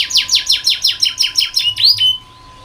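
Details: Canary tutor song for young birds learning to sing: about nine loud descending sweeping notes in quick rhythm, ending in a rising whistled swoop, then quiet hum.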